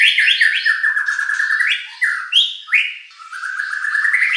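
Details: White-rumped shama, a competition bird, singing a loud varied song used to provoke rivals into answering: rich whistled phrases around mid pitch, stepping up and down with quick slurred notes and repeated motifs.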